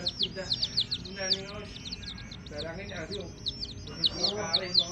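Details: Baby chicks accompanied by a hen peep in bursts of high, downward-slurred notes, briefly pausing midway, with a lower, harmonic clucking or voice-like sound rising in the middle range at times.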